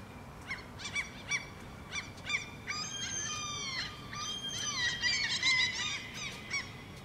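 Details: Two Common Gulls (Larus canus) calling back and forth in Helsinki, Finland, in June 2013; a series of short harsh calls followed by longer drawn-out mewing cries, overlapping and rising in intensity, with steady background noise.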